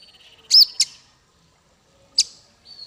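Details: High chirps from a bird used for masteran, a practice song for small fighter birds: a soft ticking trill, two loud sharp notes, a pause, another chip, and a thin whistle at the end.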